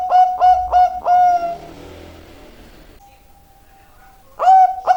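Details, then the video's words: Zebra dove singing prolifically: four quick, soft coos and a longer, sliding note, then a quiet gap with a faint steady tone, before the rapid cooing starts again at the end. "burung perkutut super gacor"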